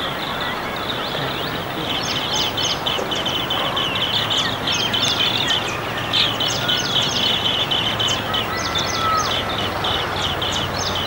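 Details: Flock of up to 20 Asian green bee-eaters filling a tree in a Gurugram neighbourhood, India, giving loud peeps: quick, high, trilled chirps in rapid runs, several per second, over steady rushing background noise.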